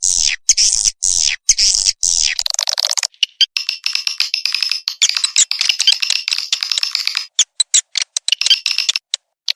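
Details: Swiftlet lure sound, SP Naga Merah style, played for swiftlet nest houses: several sweeping high chirps, then a long run of fast, dry, rattling clicks and buzzy trills.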